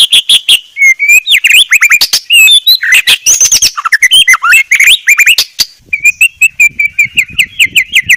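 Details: White-rumped shama in a very clear song: loud, rich and varied whistled phrases with sharp chips and rapid notes, closing with a fast regular series of short rising notes.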